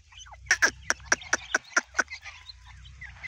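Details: Young partridges giving a rapid series of about eight sharp, high, clipped peeps, roughly four per second, then fainter twittering, with a low hum underneath.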